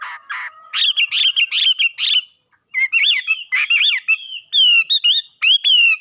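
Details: Bird song opening with rough, buzzy chattering notes, then bright, looping whistles that rise and fall. A short pause breaks the phrases, which end in sharp, descending whistled notes repeated several times.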